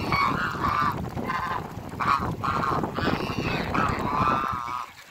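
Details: Toulouse and African geese kept in a backyard give a run of loud, harsh nasal honks, each about half a second long, repeated steadily over five seconds.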